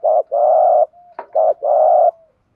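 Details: Spotted dove in the rapid rousing coo style used to prompt other doves to call: two paired low coos, a brief held note and a sharp click between them, warm and hollow, with no other sounds.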